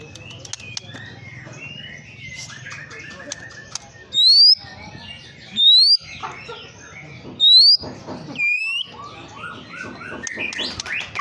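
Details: White-rumped shama song used as a lure to agitate other birds: three loud, pure, rising whistles spaced about two seconds apart stand out over softer warbled notes and quiet background chirps.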